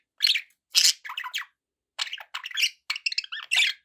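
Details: Several pet budgies give rapid, uneven bursts of sharp chirps and squeaky warbling notes, loud and bright, separated by brief pauses.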